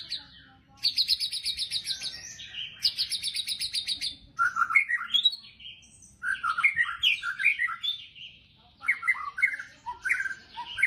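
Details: White-rumped shama (murai batu) singing in the fierce 'tembakan' style: rapid buzzy rattling bursts repeated twice, then a run of varied loud whistled notes jumping up and down, ending in fast sharp chirps; quiet background.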